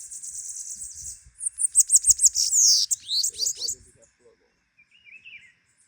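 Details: Bananaquit song: a thin, high hiss leading into a rapid run of loud, sharp buzzy notes and a wheezy slur, then a few quiet lower chirps.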